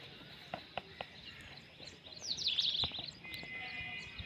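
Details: Pet green Indian ringneck parakeet (Psittacula krameri), a talking bird, gives a quick, harsh, chattering burst of high notes, then holds a steady high whistle; a few soft clicks just before.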